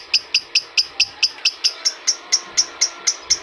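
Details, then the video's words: Adult lovebird stimulus call: crisp, high single chirps repeated about four times a second, slowing slightly as the series goes on. "PERANGSANG PANCINGAN LOVEBIRD DEWASA"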